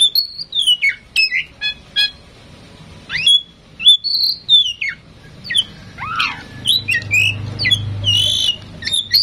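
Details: Tame female oriental magpie-robin singing to prompt other birds, with rich rising and falling whistled phrases, a swooping downslur, and scratchy clipped notes run together; faint low hum behind.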